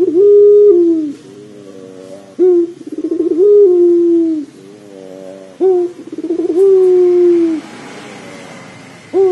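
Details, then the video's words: Rhythmic cooing of a pelung dove meant to coax a dove into calling quickly: long low notes that fall away, each followed by pulsing rolled notes, about three phrases. "PANCINGAN PUTER PELUNG AGAR CEPAT BUNYI"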